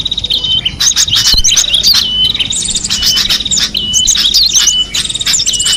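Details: Cinereous tit in the wild, giving sharp chirps and short buzzy trills over a steady run of thin whistled notes, with other birds chattering alongside.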